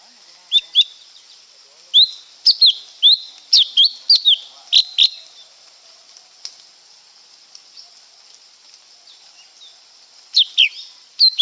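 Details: Song of a lesser green leafbird: bursts of sharp high whistled and slurred notes in quick succession, a long quiet gap, then a final short burst; steady hiss throughout.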